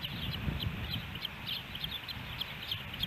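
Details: Nesting ospreys in Hellgate Canyon, Missoula, Montana, on July 13, 2018, when three fish were brought to the nest. Quick high chirps come in a loose, uneven series over a steady low background rumble.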